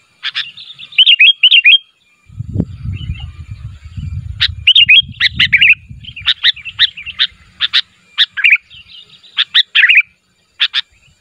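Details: Sooty-headed bulbul calling to draw replies from other bulbuls, giving short bubbly warbled phrases and sharp clicking chirps, pausing briefly, then a long run of separate bright notes, with low rumbling noise in the middle.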